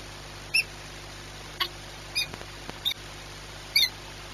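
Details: Recorded at Orlen Płock on 22 March 2021 at 14:39, a peregrine falcon gives sparse high, squeaky chips with clear tonal overtones, about five notes irregularly spaced across four seconds, against low background hum.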